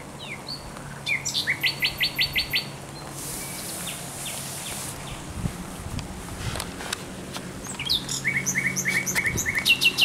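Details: Thrush nightingale in song along the Żerań Canal, 24 April 2022: a fast train of repeated clicking notes, a pause with soft scattered chirps, then another long rapid series of repeated notes, over a low steady hum.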